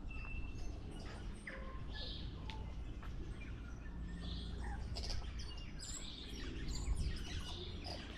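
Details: Tui in Auckland, New Zealand, singing a varied song of clear whistles, sharp clicks and short wheezy notes, scattered irregularly over a steady low rumble of background noise.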